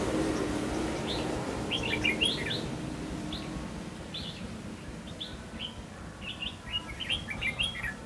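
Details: Red-whiskered bulbul decoy singing while birds are trapped on 5 November 2016; quick runs of sweet, slurred chirps repeat in small groups, louder toward the end, with a soft broadband murmur behind.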